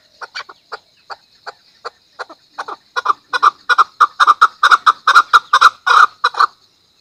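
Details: Chukar giving sparse, separate clucks that speed up and grow louder into a dense, rapid chuk-chuk-chuk series, then stop abruptly. No other sounds.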